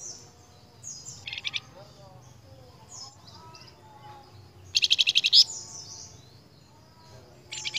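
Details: Lure recording of a flamboyan for training caged songbirds: short high pulsed trills separated by quiet gaps, the loudest a dense rattling run of about eight notes, with faint thin whistles between.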